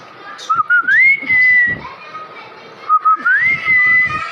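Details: Pet plum-headed parakeet, a tamed two-year-old male that whistles among his learned sounds, giving two clear whistled phrases, each starting low, sliding up and holding a steady high note, with a pause between.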